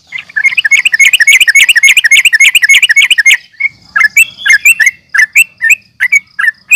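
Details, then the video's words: Sooty-headed bulbul, or trucukan, giving an agitated fighting call intended to rouse rival birds: a dense, fast rattling run of sharp chirps for about three seconds, followed by spaced single bright notes. "trucukan gacor NGGARUDA UPLIK TARUNG"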